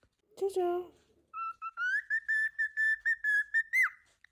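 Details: Cockatiel making a short low harmonic note, then a steady series of about ten clear, even whistled notes at a higher pitch, ending in a quick upward flick.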